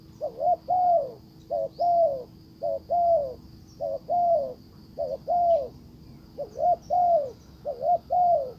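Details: Decoy spotted dove calling to draw in a wild bird, which pays no attention; soft hollow coos in a steady run, short doubled notes alternating with drawn-out falling ones, with a thin continuous high hum behind.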